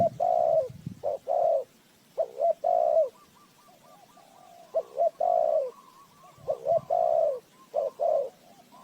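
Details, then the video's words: A spotted dove's luring coos for a bird trap: paired phrases of quick clipped notes ending in a longer mellow coo, repeated about every two to three seconds, with a faint second cooing bird behind. "เสียงนกเขาใหญ่,Bird Trap,Tiếng chim cu gáy mồi chuẩn gáy gọi cực hay"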